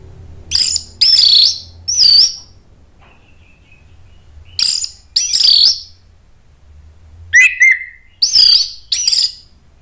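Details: Orange-headed thrush singing a lure song meant to provoke other thrushes into answering: loud, harsh, chattering phrases in short bursts, then a gap and a thin whistled note, followed by a further run of rasping bursts.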